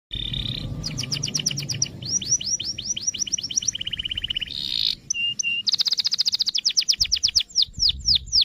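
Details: Canary song meant to set other canaries singing: varied high phrases of rapid repeated chirps, downward sweeps, a low buzzy trill and fast rolling tours at a steady clip.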